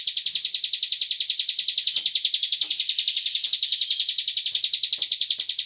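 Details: Cigun bird lure call, used to draw other birds into singing: an unbroken, steady series of high, sharp chirps delivered rapidly at an even rhythm, with a few faint soft clicks in the background.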